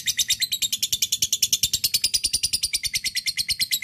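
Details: Rival-calling lovebird ngekek, a long chatter used as a lure: dense, rapid series of harsh high notes, roughly eight per second, running evenly and unbroken.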